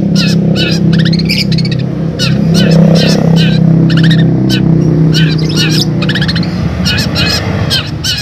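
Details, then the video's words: A long-tailed shrike gives rapid, harsh, chattering notes, a not very convincing imitation of sparrow calls, over a steady low engine-like rumble and faint voices. "Cendet Suara Tangkek Buto Gereja"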